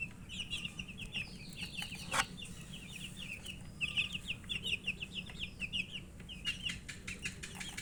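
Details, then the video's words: Several chicken chicks (murgi) peeping as they feed: dense runs of short, high, rapid peeps in bursts with brief pauses, sharp tapping and pecking clicks throughout, and a faint low hum beneath. "Murgi chicks Chirping sounds and eating"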